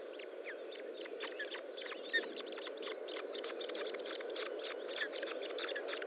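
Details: At an osprey nest during feeding on 25 June 2012, 10:58, dense bursts of short, high chip notes repeat steadily, with a couple of sharper louder clicks and persistent hiss beneath.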